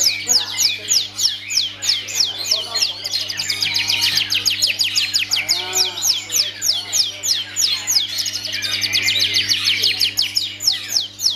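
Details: Long-tailed shrike in a cage, pouring out a rapid, continuous series of very high sharp descending chips, several per second, with a brief lower warbled phrase midway.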